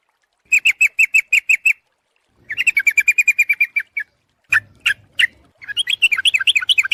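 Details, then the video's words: Sooty-headed bulbul call used as a bird lure: an evenly spaced string of sharp chirps, then a faster chattering run, followed by scattered notes and a tumbling, warbling sequence. "suara pikat burung trucuk ampuh"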